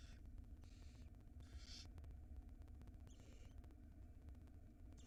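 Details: Barn owl at a nest with nestlings in Israel, spring 2022, as the female plays with food before bringing it to the young; several short, harsh hissing screeches under a second each over a steady low rumble.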